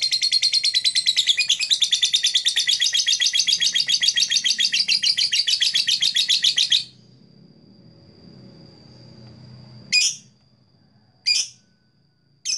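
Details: A blue black-masked lovebird gives a dense, shrill chattering run of rapid high chirps for about seven seconds, then a faint thin tone and three sharp separate chirps.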